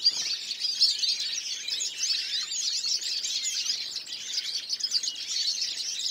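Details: Several European goldfinches, recorded in 2014, sing at once in a steady, busy chorus of quick high twitters, tinkling notes and short buzzy trills that carries on without a break.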